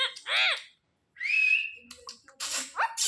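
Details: A trained pet Indian ringneck parakeet imitating speech: an arched harmonic syllable, a pause, then a long bright whistled tone followed by short noisy, raspy speech-like sounds.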